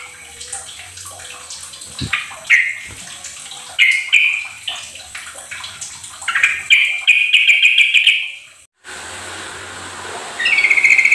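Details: Sooty-headed bulbul song played as a lure to get a silent bird singing: a run of short, rolling, trilled phrases at a steady mid-high pitch, rising in loudness, then cut off by a burst of hiss near the end.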